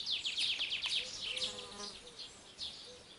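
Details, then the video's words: Birds singing: rapid runs of high, descending chirpy notes in the first second and a half, then scattered short notes, over a faint lower tonal hum. "Śpiew ptaków"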